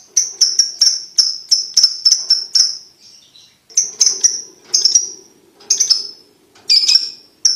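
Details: Lovebird ticking, played to young lovebirds to encourage quick trilling: a regular series of high sharp ticks with tonal tails, then irregular spaced ticks over a faint low hum.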